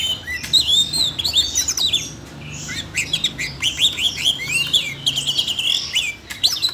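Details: Captive Siberian rubythroat singing animatedly, triggered by voice-training audio for a young bird: long rapid sequences of sharp upslurred chirps and whistles, briefly pausing midway before another fast, busy stretch.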